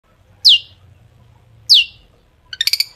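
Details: Long-tailed shrike sounds used as a lure to make shrikes sing: two loud, sharp down-slurred whistles about a second apart, then a brief rattling burst of clicks at the end, over a low hum.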